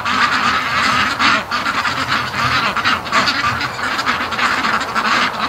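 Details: Domestic ducks, part of a group of about fifty, arriving home from a lake; continuous overlapping quacking and honking, loud and steady, with brief dips and background rushing noise.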